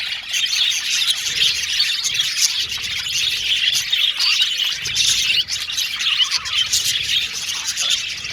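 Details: Many male budgerigars, blue and violet, in an aviary colony, chattering constantly: high warbled chirps layered thickly, a few louder tweets breaking through the busy din.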